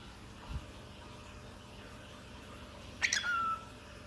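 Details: Cockatiel kept as a pet repeating "peek a boo", the only words it knows; after a faint tap, a brief grating two-part utterance ends in a falling whistled note, with quiet room hum behind.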